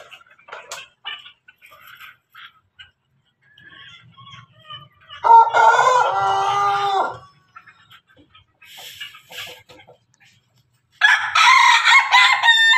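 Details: Ayam Pelung with Ayam Ketawa: scattered soft clucks, then a loud steady crow lasting about two seconds, quiet pecking sounds, and another harsh crow starting near eleven seconds.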